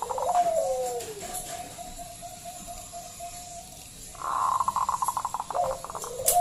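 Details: Local zebra dove with a loud voice, used to invite other doves to sing: a falling coo and long steady tone, then a run of rapid pulsed notes and short coos.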